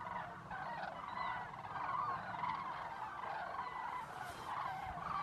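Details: Common cranes arriving at lagoons at nightfall in Zamora, Spain, alongside geese, with constant trumpeting in flight: a dense chorus of many overlapping rolling, trumpeting calls blending into a continuous clamour, with a low rumble of wind beneath.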